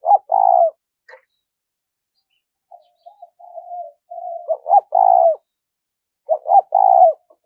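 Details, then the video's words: Urgent 'thúc rút' cooing of a spotted dove meant to lure wild birds to traps: three phrases of two short clipped notes and a drawn-out vibrating coo, with soft muttered coos in the gaps. "cu gáy thúc rút bổi dùng cho anh em đi gài, bổi và mồi nghe khó cưỡng lại"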